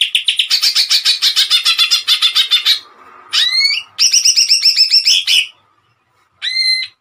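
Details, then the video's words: Greater green leafbird giving long runs of rapid, pulsed chattering notes, with bending slurred whistles between phrases and a short pause near the end. "CUCAK IJO GACOR TEMBAKAN MANTAP"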